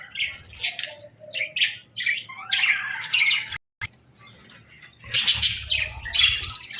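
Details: Budgies at feeding time: scattered short chirps and warbled phrases, a brief complete silence midway, then a louder burst of squawky chatter from several birds.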